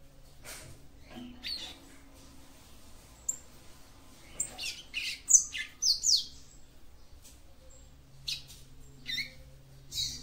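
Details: Female capped seedeater (papa-capim) singing to stimulate the male: irregular high chirps and buzzy notes building into a quick cluster of twitters, then scattered chips, over faint hum.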